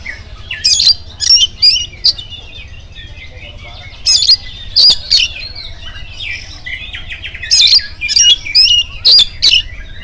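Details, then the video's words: Oriental magpie-robin giving its morning lure song to make other magpie-robins respond: three clusters of loud, grating, scratchy notes mixed with high whistles, separated by quieter soft twittering. "SUARA KACER GACOR DI PAGI HARI KACER APA SAJA LANGSUNG NYAUT IKUT BUNYI"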